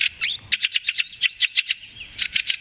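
Fieldfare: a rapid series of harsh, squeaky chattering notes, about eight per second, high-pitched and scratchy, with a brief pause before another burst.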